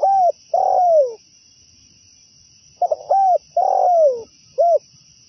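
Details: Cooing song of a zebra dove, used to attract others of its kind into a trap. Phrases of stuttered notes, an arched coo and a long descending coo repeat, ending with a short extra coo. A steady faint high whine continues in the background.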